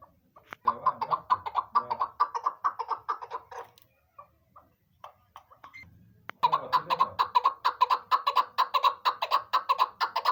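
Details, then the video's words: Chukar partridge, apparently female, giving rapid, harsh clucking chuk notes around two per second in two bursts separated by a short pause with faint knocks. "chakor na dil sa awaza nikli khobsurat awaz keklik sesi chakor"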